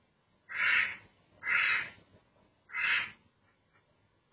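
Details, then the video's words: A duck gives three harsh, nasal quacks, each about half a second long, spaced unevenly over four seconds against a quiet background. "Relaxing Duck Sound"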